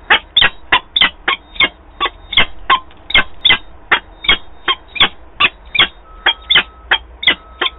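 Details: Female peregrine falcon returning to its nest in Wałbrzych, Poland, 26 April 2022: a rapid series of about twenty harsh, grating call notes, evenly repeated several per second, with a faint steady hum in the background.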